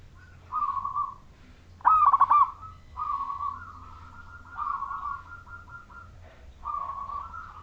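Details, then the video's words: Local wild Majapahit-type zebra dove singing as a lure for other zebra doves: one loud bubbly phrase of rapid coo notes amid many softer, drawn-out coos from other doves throughout. "Suara Perkutut Majapahit Lokal Alam Manggung Gacor Pancingan Untuk Semua Perkutut"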